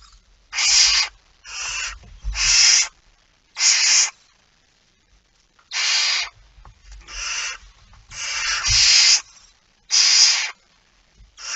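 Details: Barn owl at a nest during feeding, 19 September 2019, 05:28. About ten harsh, noisy screech-hisses come in uneven bursts, some paired closely, with low thuds and rustling between.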